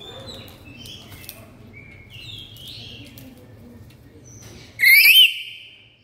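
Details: Pet black-capped lory giving a single very loud, harsh, screeching squawk near the end, after several seconds of faint chirps and whistles from other birds in the background; used as a lure call.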